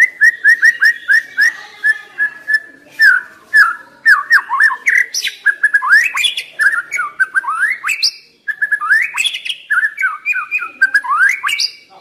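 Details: White-rumped shama song used to stimulate and train young wild-caught birds: a dense run of rich whistled phrases, rising and falling slurs and sharp chirps, varied and nearly continuous.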